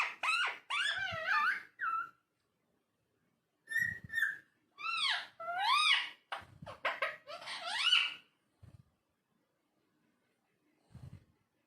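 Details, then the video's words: Talking parrot in a small room with rapid arching, speech-like syllables in several bursts, a faint low thump or two between them, and quiet gaps. "Talking Parrot"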